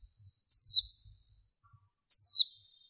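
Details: A female warbling white-eye utters two strong, thin, descending notes about one and a half seconds apart, with soft twittering and faint low thumps. The noise-reduced recording is meant to excite males and lure wild birds.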